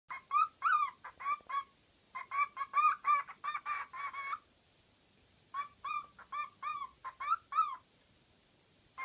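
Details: Pet bird making all kinds of noises: bursts of short, nasal, harmonic squawks in quick runs, pausing briefly between groups, in a quiet room.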